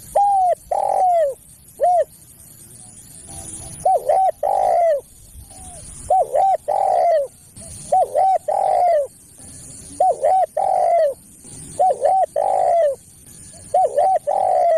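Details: Spotted dove lure call for attracting other doves and tutoring caged birds: clear mid-pitched coo phrases, two or three short notes then a long, slightly falling coo, repeated about every two seconds over a faint high hiss.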